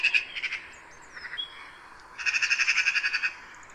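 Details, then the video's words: Magpie chattering: a harsh, rattling run of rapid dry notes, a few at first, then a longer burst of about a dozen rasping notes, with faint whistles behind. "MAGPIE SOUND - MAGPIE SOUND EFFECT - SOUND OF MAGPIE - NOISE OF MAGPIE"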